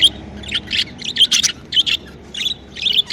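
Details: Happy budgerigars at home keep up a rapid, scratchy chirping chatter of short buzzy bursts, with a few sharp squeaks among them.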